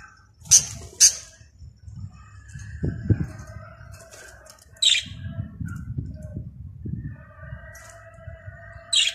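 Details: Lovebirds excited on their first day out in the sun give sharp, high, squeaky chirps in scattered bursts, with softer chatter in between and a low rumble of handling or wind noise underneath.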